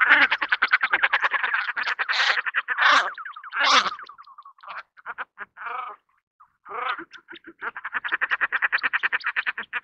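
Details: Common shelduck (Tadorna tadorna) giving rapid, nasal chattering runs of about eight notes a second, broken by a few harsher drawn-out calls, then chattering again.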